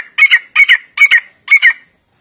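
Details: Grey francolin, the Sindhi or Irani teetar, calling with four loud, harsh double-noted phrases in quick succession, about two per second, ringing and rich in overtones, with a clean quiet background.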